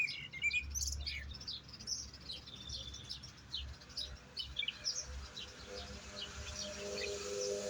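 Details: European goldfinch giving a continuous, irregular stream of high tinkling twitters and brief trills, with low background hum throughout.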